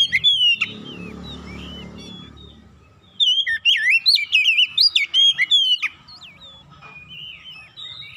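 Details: Oriental magpie-robin song aimed at attracting other magpie-robins; brief whistles, then a low rumbling noise, then a fast run of sharp chirps and swooping whistled notes.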